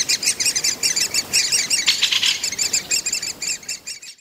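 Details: Great spotted woodpecker chicks calling in the nest while the breeding pair feeds them, Mønsted Kalkgruber, 30 May 2020: insistent high chittering notes in quick runs, with a brief rustle midway before the sound cuts off.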